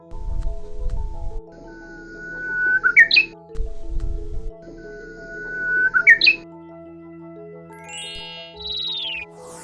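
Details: Japanese bush warbler on Geoje Island, South Gyeongsang, Korea, sings twice a simple song: a long, level whistle ending in a quick, rising 'pi-rik' flourish, about three seconds apart, over soft background music; its regional dialect is simpler than island birds elsewhere.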